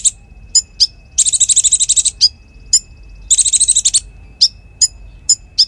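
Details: Konin (Bar-winged Prinia) singing as tutor material for magpie-robins and fighter birds: spaced high chips framing two dense, rapid rattling trills each about a second long.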